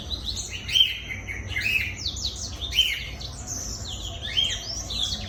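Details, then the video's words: Black-throated canary in full, lively song, played to lure other birds: rapid high twittering with sharp downslurred and upslurred notes and bright accented chirps roughly every second, over a soft low hum. "PANCINGAN BLACKTHROAT GACOR"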